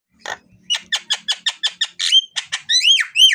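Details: Javan myna song used as a lure to get birds singing: a run of harsh, evenly repeated chattering notes about every fifth of a second, then rising and falling whistled squeals, with a faint low hum behind.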